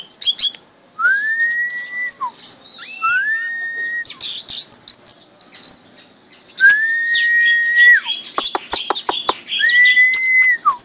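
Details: Hand-raised pet orange-headed thrush singing 'mabok' style: clear rising whistles, each held about a second and ending in a drop, mixed with high scratchy chirps and clicking notes.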